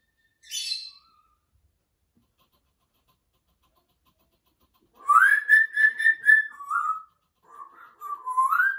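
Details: Male pet African grey parrot singing opera-style, with a brief high squeak, then a run of loud, clear whistled notes, level and slightly wavering, followed by lower rising and falling whistles.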